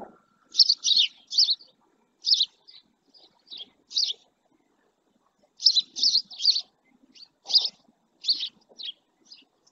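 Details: Male house sparrow resting beside a live camera in the Doñana National Park marshes at El Rocío, Spain; bright chirps in irregular bursts, often two or three in quick succession, with brief pauses and faint low background murmur.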